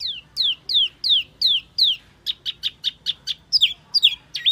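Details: Wambi lure call: loud whistled notes sweeping steeply downward, repeated about every third of a second, then switching to short clipped notes and ending with twisting, rising and falling whistles.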